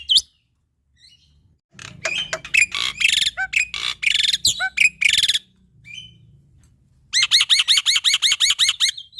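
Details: Singing male black-winged myna, a training model for young starlings: harsh, broadband rasping phrases at first, a quiet gap, then a quick run of looping whistled notes.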